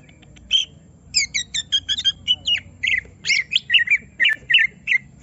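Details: Provoked to show off its full song, a greater green leafbird strings together short chirps and squawky whistled notes in quick succession, several stacked bright syllables and harsh accents.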